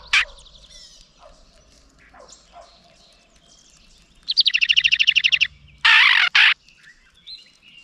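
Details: An angry House Wren, upset by a GoPro placed near its nest, scolds with a fast, dry rattling chatter of about a dozen notes, then two harsh, buzzy blasts, over faint chirps and soft outdoor background.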